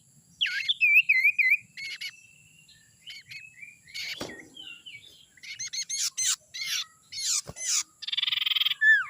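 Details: Young forest sirtu used as a lure: wavering whistled phrases, scattered chirps and clicks, ending with a buzzy pulsed trill and a downslurred whistle.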